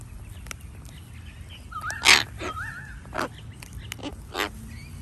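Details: Flock of Sulphur-crested Cockatoos in a nature reserve in Australia: three harsh, raspy screeches spaced about a second apart, mixed with smooth whistled glides from another bird and a steady low background rumble.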